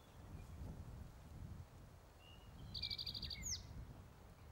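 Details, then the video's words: Male spotted towhee singing on territory, Metcalf Wildlife Management Area, Nebraska, May 23, 2023: a short rapid trill with a slurred final note near the end, preceded by a faint whistle, with wind rumble throughout. "Male spotted towhee singing on territory at Metcalf WMA"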